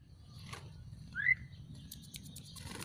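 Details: A captive Javan pied starling, just bathed and set out to dry in the sun, gives a single short, clear whistle sliding upward over a low background rumble with faint clicks and scratches.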